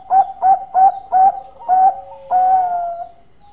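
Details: Zebra dove in lively song, for luring: four quick, rounded coos followed by two longer, steady drawn notes that fade out.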